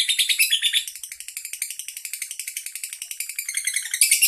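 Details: Lovebird of the andong type from Bandar Lampung, Indonesia, singing at length in front of its keeper: piercing high chatter, briefly louder at first, then a softer rapid stream of clipped notes that swells again at the close.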